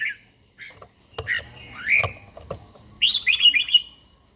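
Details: Captive older red-whiskered bulbul in daily morning song training, forest-type voice. Short whistled notes lead into a long rising slurred whistle, then a quick tumbling string of warbled notes that trails off upward.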